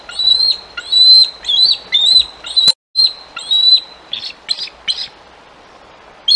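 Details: Male bald eagle at the Decorah nest on 7 July 2022, guarding a freshly caught fish from a nearby juvenile eagle with a rapid series of high, thin whistled notes, followed by short chattering bursts and a brief gap.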